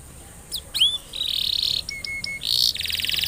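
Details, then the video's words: Singing canary, played to stimulate other canaries into song: a few upswept whistles, then a long buzzy trill, a series of clear flat piping notes, and a final rapid rattling trill. "Burung kenari gacor,,, paling jitu untuk pancingan kenari supaya bunyi dan cepat gacor"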